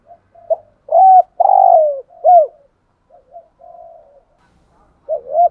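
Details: A decoy spotted dove calls thúc gù style: rising hooked notes, a long level buzzy coo and a falling hooked note, then soft murmurs before the double hooked pattern starts again.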